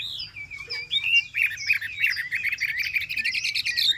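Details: Chinese hwamei, a cage bird of three months, delivers rich whistled phrases: a clear rising note, then rapid warbled, looping runs that grow denser toward the end, with steady low background hum.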